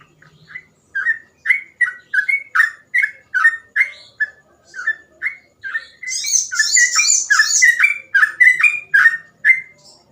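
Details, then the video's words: Sooty-headed bulbul singing nonstop gacor ropel phrases as a tutor for untrained trucukan: steady chain of short clear whistles, each dropping slightly, nearly two per second, joined halfway by a sustained high buzzy chatter. "burung trucukan gacor ropel cengkok mudah di tiru"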